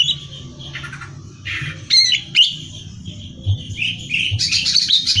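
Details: Gacor greater green leafbird song, meant as competition training material: a mix of warbled phrases, buzzy rasps and sudden loud sharp notes, ending in a dense run of high chattering notes, with constant low background hum.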